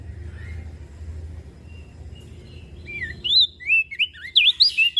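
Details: Spirited song of a mountain leaf warbler over steady low rumble: after a quiet start, a quickening string of high, wavering, slurred whistles builds through the final two seconds.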